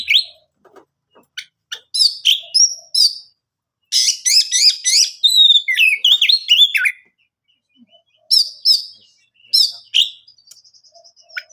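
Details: Oriental magpie-robin song played to coax other birds into answering: scattered clicks, then long runs of rapid varied whistles, trills and slurred notes, ending with spaced chirps and a brief thin trill.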